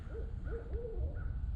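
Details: Barred owls, possibly a lower-pitched male and a female calling to each other, near a campsite on a quiet, still evening: a few mellow, slightly wavering hoots in quick succession over a steady low rumble of wind or distant noise.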